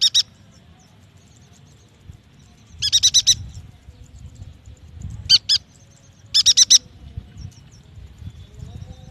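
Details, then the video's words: Yuhina song used to encourage young or silent birds to sing: quick clusters of four buzzy high notes and a pair of notes, over a low rumbling background. "AMPUH untuk memancing bunyi burung yuhina bakalan, muda dan malas bunyi"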